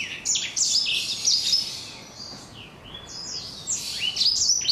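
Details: Young black-throated canary aged four months, its crunchy, rough "kriuk-kriuk" song heard as two bursts of high, buzzy swooping notes separated by a quieter stretch of softer twittering.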